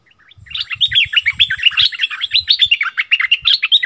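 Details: Streak-eared bulbul kept as a decoy bird, singing a dense run of rapid chattering, warbling notes that rise and fall, bursts packed closely together for over three seconds, with soft low thumps underneath.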